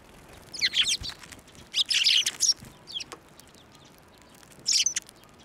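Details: Sparrows landing on a hand to be fed at a Tenmangū shrine, 11 March 2024; three clustered bursts of harsh chirping chatter separated by quieter gaps.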